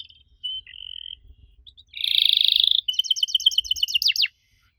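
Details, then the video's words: An unusual canary song meant to prompt young canaries to answer: soft short tones, then a loud, even buzzy roll, followed by a choppy trill of high notes that ends in two steep downward sweeps. "Kenari Muda pasti nyaut kalo denger suara aneh kenari ini"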